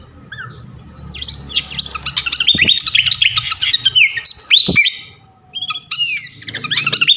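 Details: Flycatcher known locally as srikatan kipas, a champion songbird on a tutor recording: sustained rapid twittering with bright whistles and trills, a short pause, then a fresh burst of sweeping notes; low hum behind.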